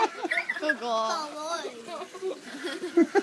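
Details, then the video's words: Pet store parrot talking: a run of harsh, speech-like phrases with wavering, stacked tones, rising and falling in pitch, ending in two short sharp bursts. "Rude Parrot"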